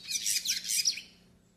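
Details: Brief fragment of yellow-faced siskin tutoring and warm-up song: a dense, very high, scratchy twitter lasting about one second, then fading, with a faint low hum beneath.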